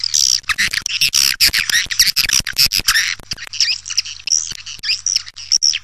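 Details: Lure call to attract swiftlets: loud, dense chattering of harsh high squeaks and clicks for three seconds, then sparser clicks with a few thin rising chirps, over a faint steady hum.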